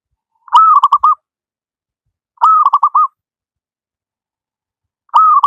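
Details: Local wild zebra dove singing steadily, used as a master song to train doves that rarely sing. Three mellow cooing phrases about two seconds apart, each a long opening note followed by quick rolling coos.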